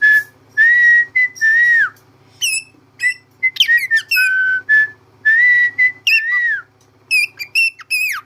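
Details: Pet cockatiel whistles clear, steady notes broken by quick, sharp chirps that sweep up and down.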